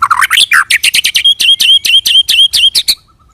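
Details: White-rumped shama (murai batu) singing in the 'roll tembak' style, used as a lure to provoke other shamas into rolling song: about seventeen sharp, rapid notes in a fast, even rattle, ending abruptly after three seconds.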